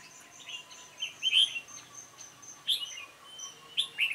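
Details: Red-whiskered bulbul, dark-bibbed variety, singing at a decoy trap on 28 February 2017. A lively string of short, sweet chirps, roughly three phrases in four seconds, over a hiss of high background calls.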